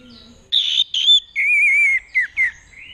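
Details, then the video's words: Orange-headed thrush from Mojokerto, Indonesia, in 'teler' mode, a behaviour said to win a mate: a buzzy burst, a short whistle, then a long wavering whistled note and two quick downslurred calls. "Joki Cilik Bikin Anis Merah Teler Gacor dari Mojokerto"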